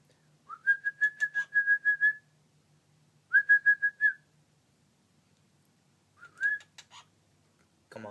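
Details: Pet cockatiels indoors, communicating: clear whistled notes near one pitch, a rapid run of about ten short pulses, a pause, a shorter burst of four, then a brief rising whistle; a faint human voice and a thump at the end.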